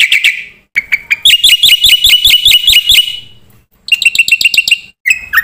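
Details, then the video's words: Black-winged myna in lively 'gacor' song meant as a master recording for training birds: scattered sharp notes, then a run of ringing, buzzy repeated notes, a pause, and a shorter trill ending in a downslurred note. "suara burung jalak putih gacor full isian ini JUARANYA untuk pancingan dan masteran"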